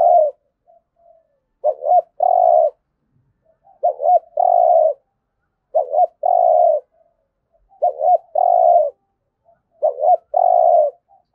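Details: Spotted dove, thúc gù coo for daily decoy-bird training: five regular phrases, each a brief trilled note and a longer steady low hum, roughly every two seconds, with faint soft notes between.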